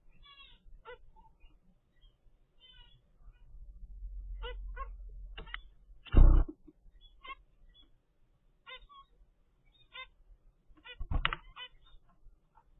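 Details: Ten-day-old zebra finch chicks from a pair's first clutch, in the nest in captivity, give short, thin, harmonic calls repeated in loose bursts throughout, with two loud thumps of handling noise.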